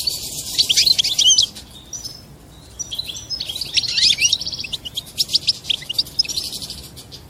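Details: European goldfinch singing its mating song, which a female answers by taking the mating posture; quick liquid twitters and sharp trilled notes come in bursts, with a short lull in the middle.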